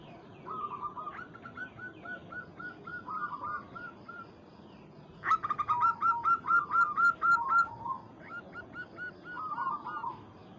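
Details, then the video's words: Local zebra dove calling a rival: soft, steady runs of repeated coos, broken midway by a loud, very regular string of about ten quick, bright notes, then quieter cooing resumes. "PERKUTUT Lokal MEMANGGIL LAWAN"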